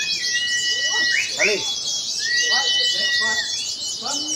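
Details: Oriental white-eyes competing at a practice songbird contest, wild-caught and in-form birds together. A continuous shrill twittering chorus with level whistled notes and sharp falling slurs, voices of people mixed in.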